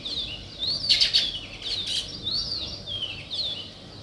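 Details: Weaver birds, referred to as sparrows, calling in natural surroundings. Buzzy, downward-sweeping chirps repeat about every second over a soft background hiss, with a few louder bursts of chatter.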